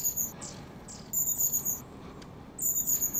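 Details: Wild long-tailed tits in January at the Zvenigorod Biological Station, Moscow Oblast: thin, very high, level whistled notes in short bursts of about half a second, repeated three times, over faint low background hiss.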